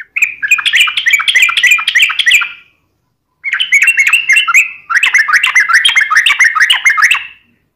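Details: Yellow-vented bulbul delivering fighting-style song in three dense bursts of rapid, jumbled, chattering whistles, each lasting a couple of seconds and separated by clean pauses.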